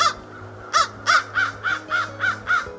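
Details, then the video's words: American Crow call, a generic, smooth, clear crow call unlike the guttural Common Raven: a quick series of about eight harsh, clear caws, each arched in pitch, roughly three per second; otherwise quiet. "First, here's the call of the American crow."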